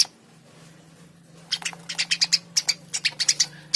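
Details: Eurasian tree sparrow chirping briskly: after a quiet opening, a fast series of sharp, repeated chirps, about three per second, continues to the end.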